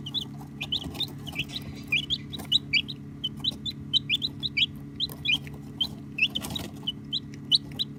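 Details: Chicks peeping continuously, phone recording: rapid, overlapping high chirps, many slightly rising, with a short rustling sound near the end and a low hum throughout.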